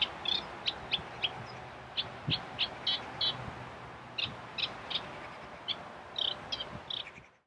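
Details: Eurasian reed warbler (Acrocephalus scirpaceus scirpaceus) singing in July 2013 at Kallo Groot Rietveld, Belgium: a jerky, chattering run of short harsh notes, about three per second, with uneven gaps and a faint low hum beneath.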